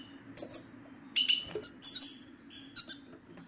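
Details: European goldfinch male in the 'sitsita' style, a recording said to make a silent male goldfinch sing; thin, very high whistled and twittering notes in short separate bursts over a faint low hum.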